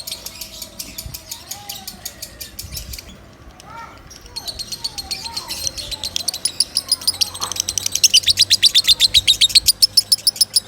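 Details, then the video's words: Loud lovebird song for tutoring other birds. Human speech and faint chirps come first. Then a rapid, high chattering series of sharp clicks builds and grows louder toward the end. "Suara Kencang Lovebird"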